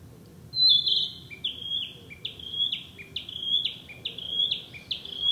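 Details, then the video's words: Narcissus flycatcher, a summer bird breeding locally, singing in the woods: a loud opening whistle, then a rhythmic series of paired high-low whistled notes repeated about eight times in quick succession. "「キビタキ」 林の中 美しい声でさえずる “Narcissus Flycatcher” sings a sweet song in the woods"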